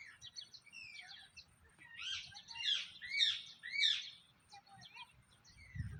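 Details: Parrot letting out three loud, rasping screeches about a second apart, surrounded by quieter chirps and short upslurred whistles, with a brief thump at the end.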